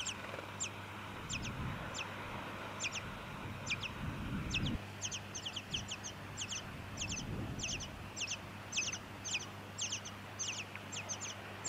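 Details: Tawny-crowned honeyeater, Victoria, Australia, September 2017, producing steady high, sharp downslurred notes in pairs and triplets for about ten seconds, over a low background hum with occasional low rumbles.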